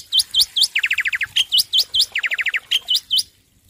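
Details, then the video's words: A captive male black-winged myna sings loudly: sharp upslurred whistles in threes alternating with rapid runs of falling chattery notes, repeated twice, with no other sounds. "Masteran Jalak Putih Jantan Gacor Suara Keras"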